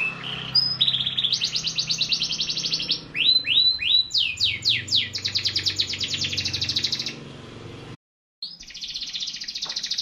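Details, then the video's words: Canary in full song: long fast trills, a run of sweeping down-slurred notes, then another rattling trill; a short break of silence before the rapid trilling resumes. "٣٠ دقيقة تغريد مستمر ورائع مهما كان نوع الكناري خاصتك سيبدء بالتغريد"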